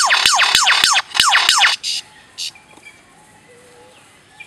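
Lyrebird mimicry: a rapid burst of steep, falling laser-like zaps, about five a second, then a few scattered buzzes and faint thin whistles.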